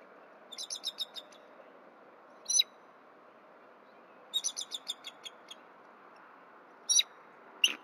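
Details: Bald eagle pair at the nest on a winter morning, the female's soft mewling preceding mating: high, thin staccato chitters in quick runs of six to seven notes, separated by single sharper squeaks.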